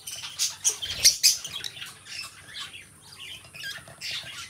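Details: Two companion pet lovebirds giving quick shrill squeaks and harsh chips, loudest in a cluster around the first second, followed by quieter scratchy twittering.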